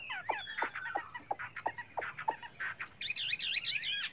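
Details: Chinese hwamei singing many varied voices: a series of sharp downward clicks repeated about every third of a second, then a rapid rippling vibrato whistle.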